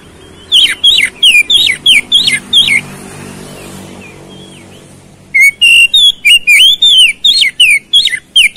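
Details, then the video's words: Oriental magpie-robin song intended to provoke fighting: two long runs of rapid, sharp whistled notes with steep down-strokes, about three per second, split by a quiet pause. "PANCINGAN KACER CEPAT RESPON NGOTOT TARUNG"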